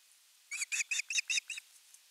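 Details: Osprey begging for fish at a nest camera on 10 August 2021: six clipped, ringing chirps in quick succession, slightly distant, over a faint background hiss.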